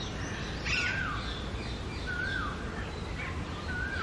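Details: Female Alexandrine parakeet, also called Pahari tota, calling from the top of a badam tree; three drawn-out, slightly falling calls spaced about a second and a half apart over steady low background hum, with fainter bird chatter.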